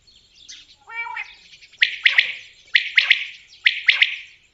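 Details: A common quail (Coturnix coturnix) gives sharp, liquid three-note 'wet-my-lips' phrases about once a second, after a few softer nasal notes at the start.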